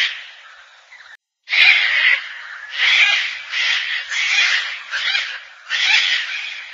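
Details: Gang-gang cockatoo giving a series of harsh, creaky, grating calls, each a raspy burst lasting about half a second, in quick succession after a short pause near the start; no other clear sounds.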